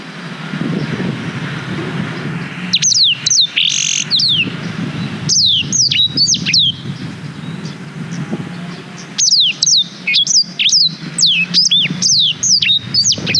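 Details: Long-running black-throated canary song captured with a GoPro Hero 5, meant as training material for young canaries: repeated clusters of shrill, downward-sliding whistles in quick succession, broken by short gaps, above a faint low rumble.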